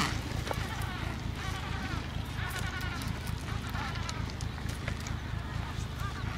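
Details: On Paulet Island, Antarctica, on 1 February 2019, about 150,000 pairs of Adélie penguins breed together: a busy mix of quavering, braying calls from many birds over a steady low rumble.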